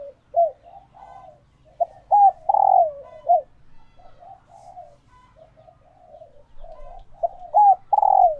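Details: Caged female spotted dove in laying condition, its calls meant to excite males into answering and courting; bursts of short hooked coos and a drawn-out falling coo, interspersed with softer murmured notes.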